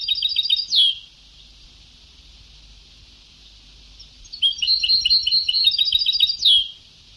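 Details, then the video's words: European goldfinch song from an old Sebtawi-style tape: a short burst of high twittering notes ends in a sweeping slur, then silence, then a longer run of fast, dense chirps closing with another bright sweep. "Canto del jilguero antiguo شريط تغريد سبتاوي قدييييييم"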